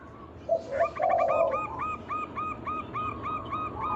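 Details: Local zebra dove lure song for drawing other doves into singing: a few low coos, then an even train of hooked repeated notes at roughly three and a half per second.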